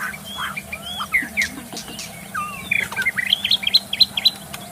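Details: Wild magpie-robin singing in forest, a recording meant to stimulate caged birds to sing: varied clear whistled phrases, slurred upward and downward, with bright repeated notes packed tightly near the end.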